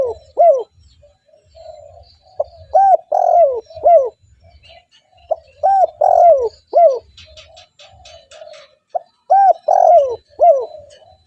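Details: Spotted dove cooing to lure wild doves: repeated three-note phrases of bold, downward-bending coos with soft purrs between, steady and insistent; a brief rapid ticking and faint chirps in the background.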